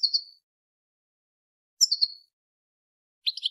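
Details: A female European goldfinch calls to stimulate the male to mate, giving three brief, high, sliding chirp bursts spaced by quiet gaps.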